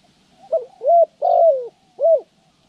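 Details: Spotted dove being trained as a decoy for bird trapping, recorded January 14, 2020; close, loud cooing phrase of four mellow notes, a short note then three longer arched coos, over a quiet background.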